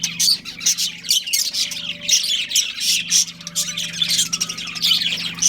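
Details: Budgies, a breeding pair, keep up loud, busy chatter of sharp squawky chirps and rapid warbling notes with no pauses, over a faint constant low hum.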